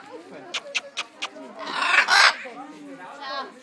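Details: Blue-and-yellow macaw at a zoo in Gossau, Switzerland, talking: four quick smacking kiss-like clicks, then a raspy voice-like squawk and softer warbled phrase, amid words like "kiss" and "hello".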